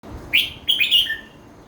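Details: Red-whiskered bulbul singing the phrase type called 'kuai chi hok': one short, loud burst of clear whistled notes, a sharp upslurred note and then a quick tumbling run of bright whistles dropping at the end.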